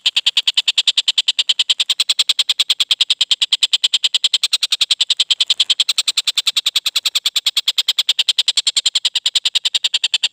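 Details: Young collared kingfisher just after its juvenile moult, with a clear voice, giving harsh, clipped notes in a steady, unbroken series of about three per second.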